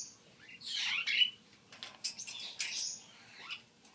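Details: African grey parrot, which talks in both male and female human voices, gives bright, squeaky chirps and whistled notes in quick bursts.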